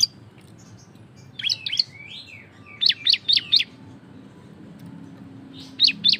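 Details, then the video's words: Cisem in loud continuous ngebren song meant to spur other birds to sing: a pair of sharp chirps with a short slurred whistle, then four rapid piercing notes, a pause, and two more. "Cisem gacor suara ngebren lantang untuk pancingan biar bunyi"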